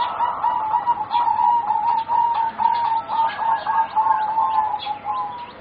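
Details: Four young singing zebra doves, about 3.5 to 4 months of age, from stock bred for competition: a loud, continuous high trill of rapid beaded coos running unbroken for several seconds, pulsing in volume.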